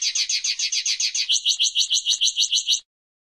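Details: Common linnet song: a fast, even series of buzzy, high twittering notes about five per second, shifting midway to a second repeated phrase of clearer, slightly lower notes, ending abruptly after nearly three seconds; no other sounds.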